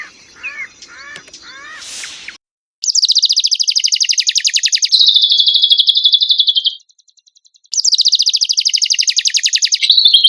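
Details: Black-winged myna song used as training material for songbirds, opening with a few soft varied chirps, then long rapid buzzy rattling trills, high and dense, broken by a short pause before another fast trill.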